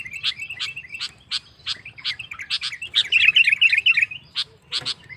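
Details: Sooty-headed bulbul singing to provoke rivals into song: evenly spaced sharp chip notes, then a short burst of excited, scratchy warbling before the chips return.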